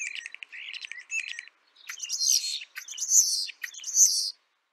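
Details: Asian glossy starlings (Galansiyang) eating ripe papaya at home, giving rapid scratchy chatter followed by louder, harsh squeaky bursts with sharp metallic notes, brief pauses between groups.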